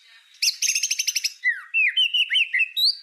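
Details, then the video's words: White-rumped shama in a master song for tutoring other songbirds: a fast, emphatic burst of repeated ringing notes, followed by fluid, swooping whistled phrases rising and falling in quick succession. "Suara Masteran Murai Batu Full Tembakan Cocok Untuk Burung Pastol"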